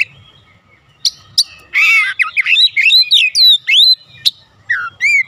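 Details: Oriental magpie-robin singing in 'ngeplong' style to make pet birds answer: isolated sharp chips, then a harsh buzzy outburst sliding into a string of clear, looping whistles, with low background rumbling between phrases.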